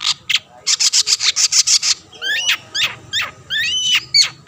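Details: Long-tailed shrike (cendet), a bird that provokes rivals into singing: a fast burst of about ten harsh raspy notes, then slower clear whistles curving upward and downward.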